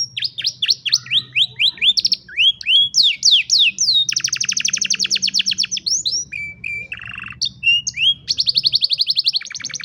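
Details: Singing canary for teaching young canaries, recorded by cellphone: chains of downswept chips, a long dense buzzy trill, a short low warbling roll and fast clipped repeats, continuous and lively with a soft background hum.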